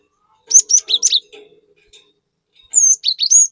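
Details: Cinereous tit (gelatik batu) in energetic 'gacor nembak' singing, used as a lure recording to provoke other birds: a rapid burst of high whistled and buzzy notes, a short pause, then another sharp rising-and-falling phrase.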